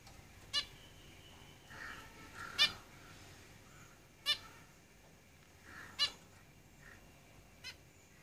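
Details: Caged zebra finches calling: sharp nasal honk-like notes repeated roughly every one and a half to two seconds, with soft buzzy sounds in between.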